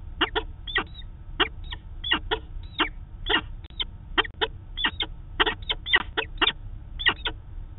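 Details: Harsh, choppy falcon calls come in uneven clusters of two or three sharp notes. A peregrine pair is meeting at a nest site in Manchester, New Hampshire, caught on a live nest camera on 2 September 2018, with steady low hum underneath.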